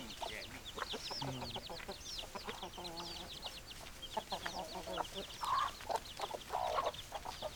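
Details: Flock of hens clucking, with many overlapping low clucks, brief squawks and scattered high chirps running continuously through the recording.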